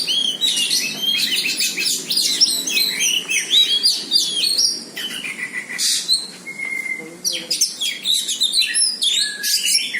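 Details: White-rumped shama singing on meeting a rival: a rich, fast stream of high whistles, sweeps and chattering notes with a few sustained pure tones, continuous and varied throughout.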